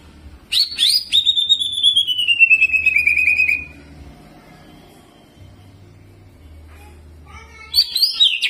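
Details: Greater green leafbird in excited song with prinia mimicry and rolling phrases: sharp high notes lead into a long, fast, descending buzzy trill, then a pause before more high, chattering notes.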